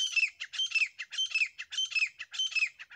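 Grey francolin giving loud, harsh, high-pitched squawking phrases, each with a rising-falling shape, repeated about every half second with no other sounds.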